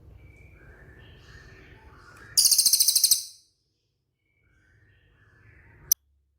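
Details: Cililin training recording for caged songbirds: a high, thin, rapidly pulsed trill of about a second over a soft low hum, followed by quiet and a single sharp click.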